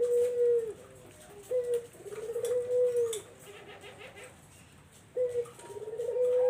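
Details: Barbary dove used as a lure for zebra doves: a rhythm of low, smooth coos, long drawn notes alternating with short clipped ones, separated by quiet gaps of about two seconds.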